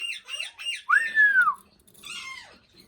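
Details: An Indian ringneck parakeet's mimic speech. Three quick raspy syllables lead into one long, clear arched whistle. A softer, fading raspy phrase follows.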